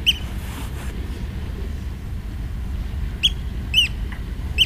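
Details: Morning oystercatcher calls on a beach near a lighthouse: loud, shrill piping 'kleep' notes, one at the start, then three spaced about half a second apart near the end, against constant low rumbling surf or wind.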